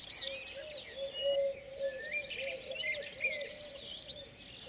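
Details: European serin courtship song in spring near olive trees: bursts of shrill jingling twitter with short rising whistles, over a steady lower repeated tone from another bird or insect.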